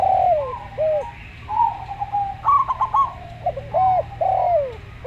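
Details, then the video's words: Calm, slow song of a local zebra dove together with a Javan derkuku. Downslurred coos are interspersed with a burst of rapid stuttering notes. A faint low hum sits behind the birds. "Perkutut Lokal Suara Slow"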